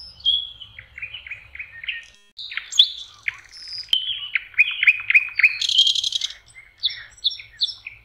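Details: Common nightingale song at the water's edge in spring, May: series of repeated chirping notes, sharp clicks, a brief buzzy burst, then more rhythmic repeated phrases.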